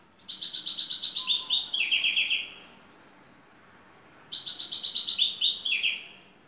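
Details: European goldfinch from Turkey, a lead bird singing in the şakşaklı style: two bursts of about two seconds each of rapid, stuttering, buzzy high twitters with a descending run of notes, separated by a quiet pause.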